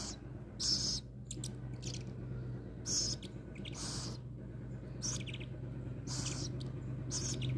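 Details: Before being fed, a rescued little owl makes a run of short, airy hissing bursts at irregular intervals, some brief and some longer, over a noticeable low droning hum.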